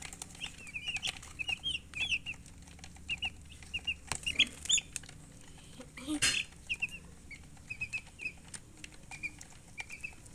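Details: Baby chicks chirping in clustered bursts of quick high peeps separated by short pauses, with two brief rustling noises partway through and a low steady background hum.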